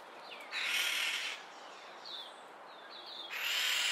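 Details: Two red-winged starlings (Onychognathus morio) in a minor disagreement squabble with two long, rasping, hissy screeches and short, falling, squeaky notes between them; harsh aggressive calls.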